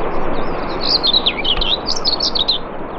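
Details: Common whitethroat singing at Morte Hoe, Devon, UK: a continuous fast, scratchy warble of rapid squeaky and buzzy notes jumping up and down, clear against light background hiss.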